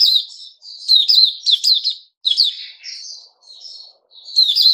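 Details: Bulbul fed fruit juice, a mealworm and a health drink, 08/05/2021: bright chirpy phrases of quick rising and falling notes in short bursts, with brief pauses between them.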